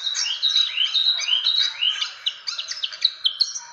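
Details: Fantail lure sound: a stream of squeaky, slurred whistles bending up and down, then a string of crisp separate chips, about two or three per second.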